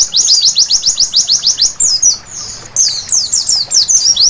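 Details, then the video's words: White-eye song at night, offered as therapy to prompt vigorous singing: quick high downward-swept chips, then a short pause, then scattered twittering slurred notes. "Terapi Pleci Malam Hari Bikin Gacor seketika!!!"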